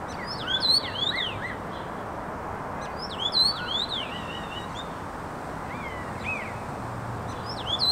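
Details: Common starling trio singing wavy zigzag whistles with quick clicks, delivered in separate bursts roughly every two to three seconds, with quieter slurred notes between, steady hiss behind.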